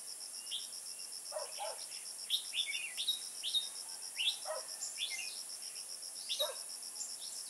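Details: Red-whiskered bulbul heard while trapping in Kim Bôi on 21 May 2018: loud, clear chirped notes, often in pairs, repeated roughly every second. A rapid steady insect trill and high hiss run throughout.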